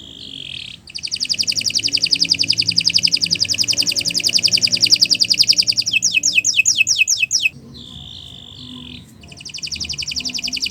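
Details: Canary singing a long, loud song for use as training material for other birds: a fast buzzy trill held for several seconds, then a run of quick descending whistled notes, a brief pause and another rapid trill.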